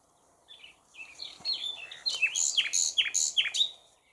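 A common nightingale sings rich, varied phrases, opening with soft warbled notes, then a run of loud, ringing notes repeated about three times a second.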